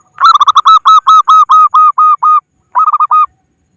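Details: Local wild zebra dove calling to rivals, a recording used as a lure for trapping: a long run of about a dozen clear, mid-pitched cooing notes, each slightly bent, then a short pause and a quicker burst of five more.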